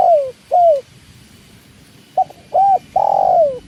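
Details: Tekukur, or spotted dove, calling near water: two falling coos, a pause, then a short note, an arched coo and a long drawn-out coo that sinks at the end.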